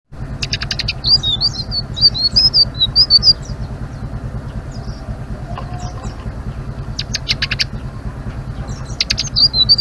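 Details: Blue-winged leafbird singing in the lively chattering 'ngeriwik' style: high, twisting whistled phrases in two bursts with a pause between, over a steady low mechanical drone and scattered sharp clicks.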